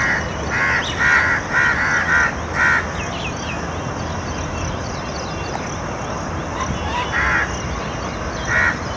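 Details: A crow gives a quick run of harsh, nasal caws, then two more single caws after a pause, heard in the background while a nilgai eats green tree leaves, alongside koel and peacock sounds.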